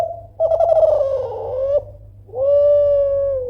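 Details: Spotted dove of the Kelantan type giving a loud call meant to provoke rivals into answering: a rolling, vibrating coo that slides slightly downward, a short pause, then one long, steady, mellow coo, in an otherwise quiet setting.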